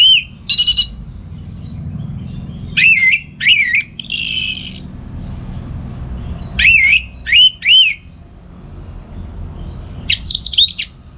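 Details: Caged orange-headed thrush from northern Bali in morning song meant for training other songbirds: clear whistled, bending notes in bursts, some higher and buzzy, separated by quiet gaps, faint low rumble beneath.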